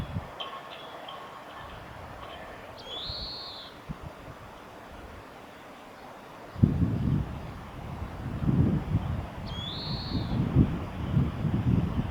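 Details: Oriental greenfinch singing in spring at a nature conservation centre's observation garden on 9 April 2022: two drawn-out nasal buzzy notes rising then levelling, with faint twitters before them, over steady low rumble and thumping noise.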